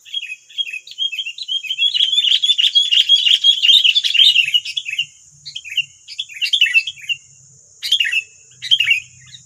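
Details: Wild sooty-headed bulbuls in West Lampung, Indonesia, with nine wild birds answering a single decoy bird. Dense, noisy chattering of short, sharp, warbled notes tumbles over one another, then breaks into scattered bursts with brief pauses.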